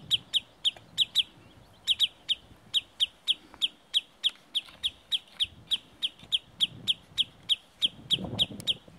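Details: Sandpiper leading away from its nest in the Murmansk hills: high, sharp peeps repeated more unevenly, some doubled, about three per second, with a brief low rustle near the end.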